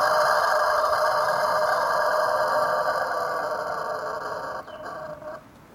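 A Japanese rooster holds one long, unbroken crow on a steady, rich mid pitch for over five seconds before it fades away.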